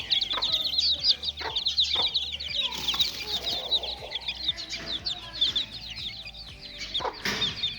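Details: Little chicks playing, filmed for a daily growth update: a dense chorus of high, thin peeps overlapping continuously, with brief louder bursts and a low rhythmic hum pulsing underneath.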